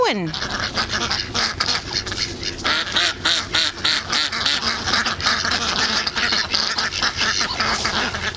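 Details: Trapped on a frozen pond, a group of Indian Runner ducks quacks continuously: rough, overlapping nasal calls in quick irregular succession, loud and crowded from start to end.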